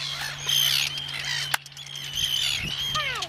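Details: Arctic Terns at the Inner Farne colony, Farne Islands, Northumberland, UK, on 6 June 2013, while people photograph them. Harsh, grating calls overlap from several birds, with a sharp click midway and a few descending tonal notes near the end.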